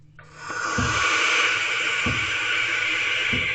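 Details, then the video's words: Continuous breathy hiss, broad and steady, with faint low knocks about every second and a half, at 10:33 pm on 4/20/23 in a barn owl nest box after the male brought a rodent to the owlets; possibly the owlets hissing from fear or to deter, unconfirmed. "Hissing Sounds Again. Is it the Owlets?"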